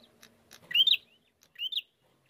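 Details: Lure recording of a bar-winged prinia to draw out singing: two clear upslurred whistled notes about a second apart, rising and curling at the top, otherwise quiet.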